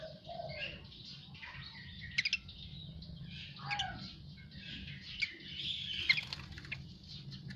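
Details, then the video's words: Asian pied starling singing after bathing, a jumble of chattering, buzzy and whistled notes with sharp clicks and a low steady hum underneath. "Jalak uren habis mandi"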